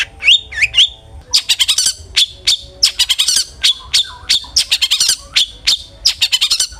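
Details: Long-tailed shrike (cendet) song used as a lure to make a bird sing aggressively: harsh, rapid chattering bursts mixed with sharp whistled notes and scratchy squawks, delivered in quick clusters with brief pauses.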